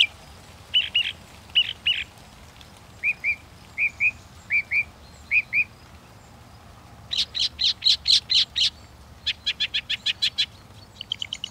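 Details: Northern mockingbird running through a sequence of distinct phrases: doubled chips, then paired short whistles repeated, then bright rapid bursts of stacked notes, and finally a fast repeated chatter.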